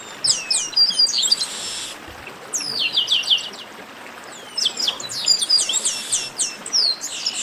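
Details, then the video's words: Garibaldi, the chestnut-capped blackbird, giving clustered high whistles that sweep downward, in quick runs of stacked notes separated by quieter gaps of about a second, with buzzy fragments mixed in. "Baderna de Garibaldi"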